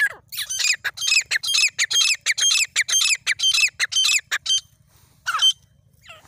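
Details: Desi teetar, a grey francolin, in jungle during partridge hunting: a loud, fast run of harsh squawking notes in close pairs, slowing and fading after four seconds, followed by one last call.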